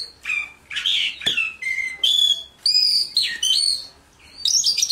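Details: Varied whistled song from a Mongolian lark, one of the four famous songbirds: clear tones at several pitches, a sharp click, then bright sliding and rising notes, with brief gaps between the phrases.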